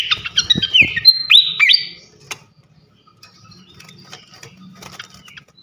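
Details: Srikatan kipas (fantail) in loud, free-flowing ngeplong singing: about two seconds of fast, dense, high twittering with sharp whistled slurs and clicks, then a long faint stretch with scattered ticks and a low background hum.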